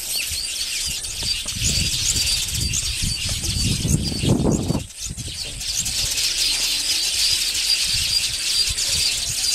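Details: Colony of Village weavers building nests in Africa: constant high sizzling chatter from many birds, over low fluttering and rustling bursts that swell in the middle, then a brief dip.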